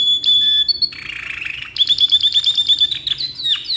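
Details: Domestic canary performing a long song for tutoring: a high steady whistle, a lower buzzy churring passage, then a fast series of sharp, repeated chipping notes.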